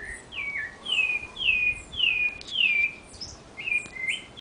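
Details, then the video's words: Sabiá thrush singing in a backyard in a large city, delivering loud clear whistled notes that slide downward, roughly two per second, ending with shorter rising whistles over faint background noise. "SABIÁ CANTANDO NO QUINTAL - BIRD (SABIÁ) SINGING IN MY HOUSE"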